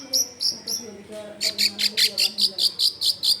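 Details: Long-tailed shrike song for luring other shrikes to sing, recorded at a house in a dense neighbourhood: three thin high whistles, then a fast even series of about a dozen scratchy repeated notes.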